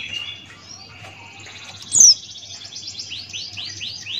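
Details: Open-beaked 'ngalas' song of a male Buxtoni white-eye: soft high twittering, one loud sharp squeak, then a quick buzzy trill and several repeated rising swept notes at the close.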